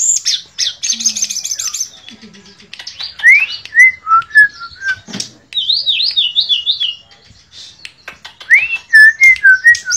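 A shortwing sings a rich, varied song of sweet whistles, quick upslurs and fast buzzy trills, jumping between notes about twice a second.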